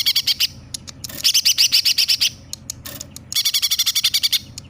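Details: Vigorous greater green leafbird song imitating sparrow and 'tengkek buto' calls. Rapid trains of shrill chattering chirps come in bursts of ten or more, broken by single isolated high chips and short gaps.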